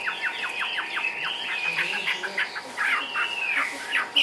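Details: Caged Chinese hwamei singing ngũ trường style: a rapid series of quick downward-slurred notes, then a drawn-out whistle and a final sharp note, over steady background hiss.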